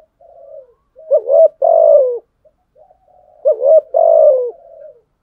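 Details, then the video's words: Spotted dove giving a fighting coo to stimulate rivals: two phrases about 2.5 seconds apart, each a soft low lead-in followed by a louder two-part coo ending in a long, drawn-out, slightly falling note, against silence. "Thúc gù chim cu gáy bài bản nhất hiện nay. gù thúc bài bản, kích bổi rất riêng gáy, cu đất gù đấu"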